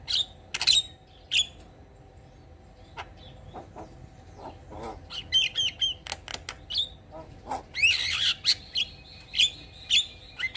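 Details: Javan myna singing; scattered clicks and rasping notes build into a dense run of squawks and whistled chirps, irregular and busy, over a constant low hum.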